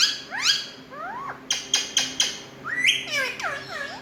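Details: Indian ringneck parrots, kept as talking birds, give upslurred squawks, then four evenly spaced harsh bursts, then a burst of looping, downward-curving whistled notes.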